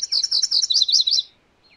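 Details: A single loud song of MacGillivray's warbler (Geothlypis tolmiei): about a second of quick, buzzy, two-parted high notes repeated in a rattling series, ending in a lower phrase, then silence.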